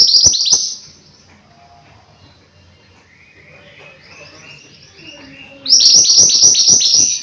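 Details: Mountain white-eye giving a short burst of high, quick rising chirps, a softer lower warbling phrase in the middle, then a loud rapid run of high chirps again at the end.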